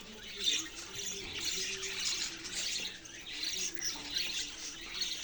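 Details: Budgerigar chatter, softer and more even: thin, raspy high chirps overlapping in waves, with a faint low hum running beneath the flock's constant warbling.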